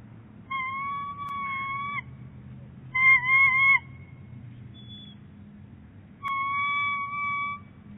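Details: Bald eagle pair at their nest at Big Bear Lake on January 22, 2018, with the male bringing loads of fluff as nest material. Three drawn-out, steady whistled notes, one slightly wavering, each lasting over a second with pauses between, over low background rumble.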